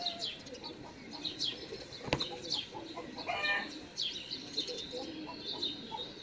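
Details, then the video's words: Great spotted woodpecker nestlings beg with open bills as a parent feeds them in a garden, 13 June 2019: a steady series of thin, high chirps, interrupted once by a single sharp knock. "Buntspecht füttert bettelnden Nachwuchs"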